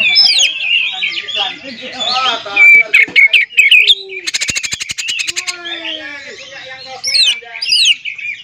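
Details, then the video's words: Oriental magpie-robin song played to provoke other magpie-robins. Busy whistled and scratchy phrases come first, then a long, fast rattling trill, then rising whistled sweeps. Fainter lower warbles sit in the background. "PANCINGAN KACER TERAMPUH DIDUNIA"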